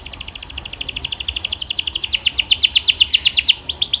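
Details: Belgian canary singing a fast, bright trill of tightly repeated notes, about four per second, gradually broadening into fuller sweeps over a low background rumble.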